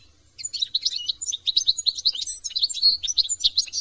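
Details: European goldfinch from France giving continuous, rapid, high tinkling and twittering song, a busy run of varied chirps and short trills that never pauses.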